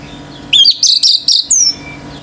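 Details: Male orange-headed thrush in intense nonstop singing that sets other birds raging: five loud, clear whistled notes, some sliding down, close together at a high pitch, over a steady low electrical hum.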